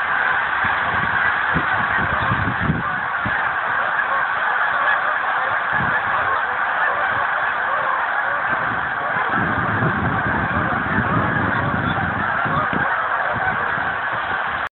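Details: Thousands of geese resting on a frozen lake in Pemberton, New Jersey, suddenly take flight on December 19, 2010; a dense, unbroken roar of overlapping honks fills the whole stretch, with low rumbling wingbeats beneath.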